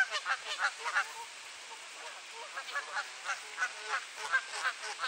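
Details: Territorial goose fight on a clear April morning in Sainte-Adèle, Quebec, Canada, 7°C: continuous harsh honks, several per second, in uneven bursts with brief lulls, somewhat distant.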